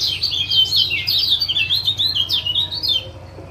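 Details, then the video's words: Lemon-bellied white-eye male, Lombok, giving continuous high, twittering 'ciak ciak' calls meant to stimulate a stalled male to sing again; quick sliding chirps for three seconds, then quiet, over soft low hum. "Masteran Ampuh Ciak Jos Kecial Kuning"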